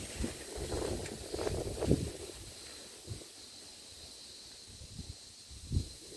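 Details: Low rustling and soft thumps, like leaves or handling, fade in and out over a steady faint wind hiss. No calls stand out.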